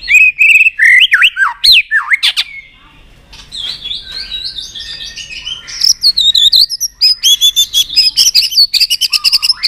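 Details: Excited White-rumped shama pouring out twisting whistled phrases. After a short pause come high warbles and then a long stream of rapid, sharp clicking 'tạch' notes.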